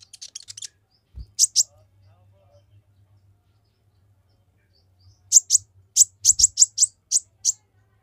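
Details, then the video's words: Olive-backed sunbird, song used to stir rival males: a brief buzzy burst and two sharp chips, a pause, then a quick run of loud high clipped notes. "Konin gacor tembakan rapat bikin konin lain emosi langsung gacor"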